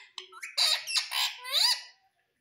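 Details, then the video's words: Indoor pet parrot said to speak 'Mummy' and 'Papa': a loud, squawky, harmonic run of three or four joined syllables ending in a rising, arching note. "Parrot Sound _ Mummy Mummy Bolne Wala Parrot _ Parrot Speaking Papa"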